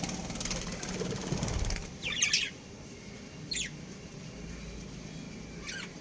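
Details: Budgerigar breeding pair: after about two seconds of wing flapping and rustling, a rapid scratchy chirp cluster, then single sharp chirps spaced over a second apart, over a steady low hum.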